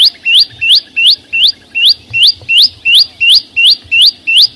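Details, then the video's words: Flowerpecker giving a steady string of sharp upward-sweeping whistled notes, close to three every second, loud and evenly spaced. "ssuab no9ó txeeev quaj zô heec tiếng chim sâu xanh hót chuẩn"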